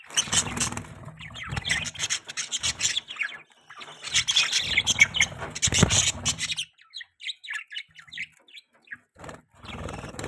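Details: Budgerigars chirping while mating: loud, crowded warbling and squeaks over a rough, rustling low noise for six seconds, then thinner, separate high chirps and tweets.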